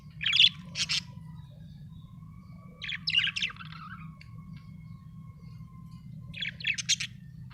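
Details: A happy budgie chirps in three separated clusters of quick, scratchy, warbling notes, with a faint steady low hum beneath.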